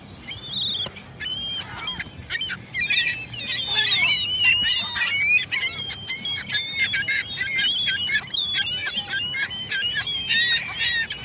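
A crowd of gulls calling over one another, harsh, nasal squeals and yelps in quick, overlapping bursts, with no pause in the chorus.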